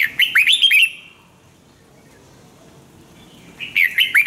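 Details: Red-whiskered bulbul training song: a bright phrase of quick, swooping whistled notes, then about three seconds of near silence, then a second similar phrase.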